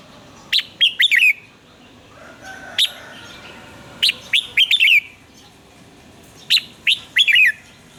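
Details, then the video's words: Red-whiskered bulbul in full morning song, a 'fiery' lure recording for coaching other bulbuls: three quick, punchy phrases of four or five sharp slurred notes at regular intervals, plus a lone note and a soft hum between. "luyện giọng chào mào hót sáng - Hót hay nhanh lửa"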